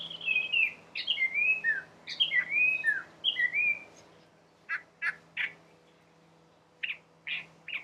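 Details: A collared palm thrush sings in a garden on the Chobe riverbank, Botswana, with a rich run of whistled, warbling phrases for four seconds, then spaced short chirps, over a low steady hum.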